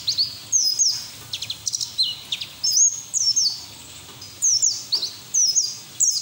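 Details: White-eye ngeriwik song in ngalas style, serving as lure and therapy audio; short phrases of high whistled slurs and chips separated by brief gaps, over a faint hiss.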